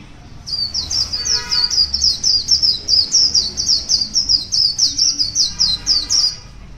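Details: Wild white-eye singing in the morning: a rapid, high-pitched run of short chirping notes, about three per second, continuing steadily for nearly six seconds over a quiet low background rumble.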